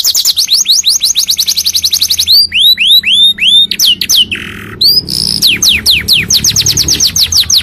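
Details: Varied canary song meant to teach and stir other canaries: rapid falling notes, then arched rising slurs, a harsh low buzzy note, and more quick descending whistles in shifting tours.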